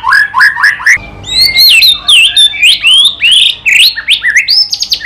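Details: Loud, clear White-rumped shama song of sweeping, rising and falling whistles interspersed with short bright chips.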